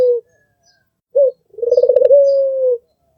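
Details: White albino Barbary dove with red eyes, a melodious master bird: a brief clipped coo, a pause, then a rapid stuttering roll that smooths into a long, softly falling note. Otherwise silent.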